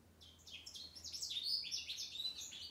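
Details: On the day of his release after 21 days of medication for a Mycoplasma infection, a male American goldfinch sings a rapid, continuous run of high, varied twitters and sweet warbled notes, with a faint low hum underneath.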